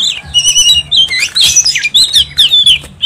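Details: Oriental magpie-robin in full ngobra song: dense rapid sequence of high whistles, squeaky slurs and twittering notes without pause, with soft low hum behind.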